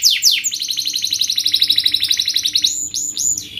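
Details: Canary in fast, tight 'speed' song used to teach young canaries: two falling whistles open a rapid rhythmic trill, closing with a few rising-falling slurred notes over a soft hum.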